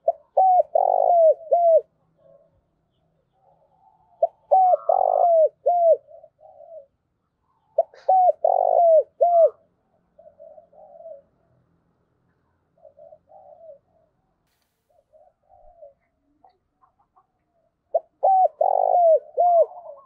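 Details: A decoy dove, used to stimulate and train other doves, gives soft, hollow calling coos in quick, rhythmic phrases, repeated every few seconds.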